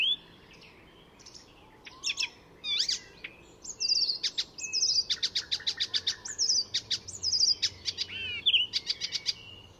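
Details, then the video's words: Varied mimicking song of an Icterine warbler at Fysingen, Sweden: whistled slurs, sharp ticks and clicking rattles strung together after a quiet start, with high descending whistles mixed in. "Icterine Warbler in full song; A master of mimicry"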